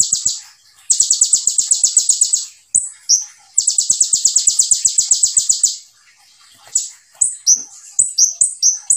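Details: Konin, the olive-backed sunbird, delivering tembakan song: long, fast, buzzy high trills of closely packed notes, then a run of short rising and falling whistled notes toward the end.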